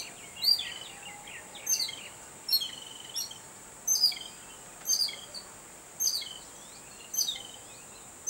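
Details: Babbler excited by a cat: sharp high chirps with falling, buzzy tails, repeated in regular bursts about every 1.1 seconds, seven bursts in all, over a constant high hiss.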